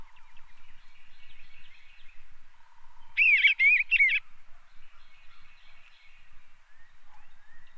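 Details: An Eastern bluebird in Tennessee gives one soft, warbled song phrase of about a second, wavering up and down in pitch, over faint twittering from other birds.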